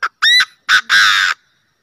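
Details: A decoy Chinese francolin gives a loud, harsh phrase of four grating notes, all in under two seconds: a short note, a ringing note, then a longer rasping final burst.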